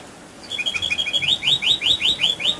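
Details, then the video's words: Canary giving a rolling song meant to draw other canaries into singing; starts with quick paired chips, then loud rising whistled notes repeated about four times a second. "Pancingan Kenari Gacor Dor Ngeroll"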